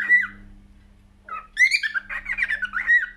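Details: Cockatiel singing: an opening upslurred whistle, a quiet pause, then a squawky harmonic note followed by a tumbling series of chirps and whistles ending in a clear slurred whistle; faint hum beneath.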